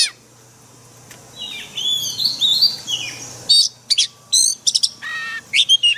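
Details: Oriental magpie-robin 'forest voice' song for daily training of caged birds, starting with a quiet gap, then high warbled slurs and falling whistles, followed by short separate bursts of sharp chirping notes.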